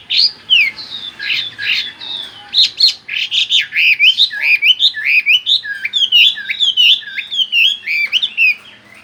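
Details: Chinese hwamei singing a fast, varied rolling song of loud swooping whistles and twisting notes, many per second, continuous for nine seconds, with a faint low hum.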